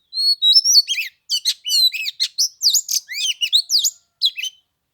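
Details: White-rumped shama singing on the third day of Tet, in cold weather of 15 degrees: clear varied whistles, slurred rising and falling phrases in short bursts with brief pauses, no other sounds.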